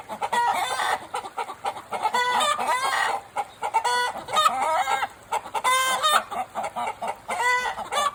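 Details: Chickens at the Takumi no Yakata forest aquarium in Japan, heard in the morning: loud, harmonic clucks and squawks from several birds, coming in irregular bursts that overlap throughout.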